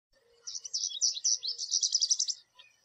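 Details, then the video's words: American goldfinch perched in a backyard tree, a wild visitor that comes in groups to a thistle and sunflower feeder, singing: a rapid, high, jumbled twittering of sweet chirps, running together into a quicker buzzy series for about two seconds. "American Goldfinch Call, Song And Sounds"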